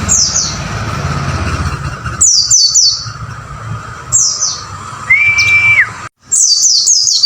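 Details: White-eye song for training caged pleci: short clusters of high descending chirps every couple of seconds over a steady low background hum, with one smooth steady whistle near the end.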